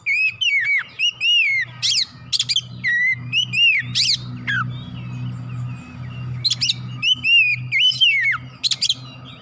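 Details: Oriental magpie-robin (kacer) singing in full, showing off its isian fillers, played as therapy to stir other magpie-robins into quick agitation and singing: loud whistled phrases that rise and fall, in bursts with short gaps, over a steady low hum.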